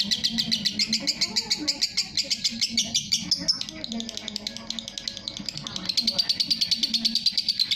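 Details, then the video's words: Lovebird giving a long 'ngekek' chatter, recorded as tutoring material for other birds: a rapid, steady stream of sharp, high chirping notes, several per second, running the whole time over low background murmuring. "love bird masteran ngekek panjang"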